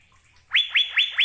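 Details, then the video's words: Asian fairy-bluebird in spirited, melodious song: after a brief quiet moment, four emphatic whistled notes, each rising sharply and then holding steady, spaced about a fifth of a second apart. "Burung Sorga Cucak Biru Sedang Bernyanyi Gacor"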